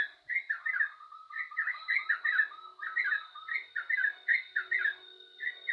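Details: Busy yellow-vented bulbul song of quick, liquid slurred notes strung together in short bursts, with a thin steady whine in the background.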